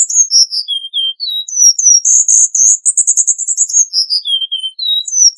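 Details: Cuban bullfinch singing a series of descending thin whistles that lead into a fast, buzzy, rattling trill, then more falling whistled notes.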